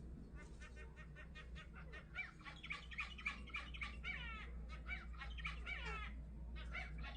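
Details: Zebra finches at their nest chatter in quick nasal beeps and honks, with a low steady hum underneath.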